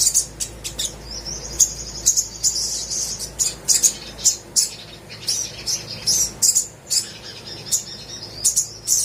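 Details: Little spiderhunter in lively song, played to draw song from birds that rarely sing: sharp high chip notes scattered irregularly, with a thin sustained high whistle near the start; faint steady hum underneath.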